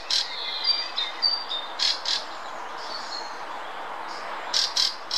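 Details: Fieldfare song recorded 2 May 2018 in the Munich Botanical Garden: harsh, squeaky chattering bursts mixed with brief high thin whistles, a few notes each second, over a steady background hiss.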